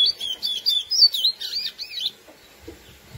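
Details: Lesser seed finch (curió) giving its classic song to excite females: a quick run of clear, slurred whistles that sweep up and down, loud for about two seconds, then near silence with faint low rustles.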